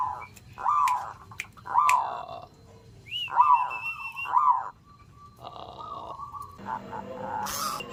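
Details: Zebra dove calling in the morning, giving four brisk, rolling coo phrases of quick clipped notes about a second apart. A separate higher whistle and some mixed background noise follow.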